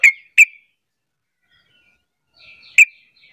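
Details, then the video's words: Sharp chips of a sooty-headed bulbul, a call meant to set other bulbuls calling in reply: two quick notes, a long silence, a faint warble, then one more chip. "Panggilan trucuk terampuh jadikan trucukan lain ikut bunyi"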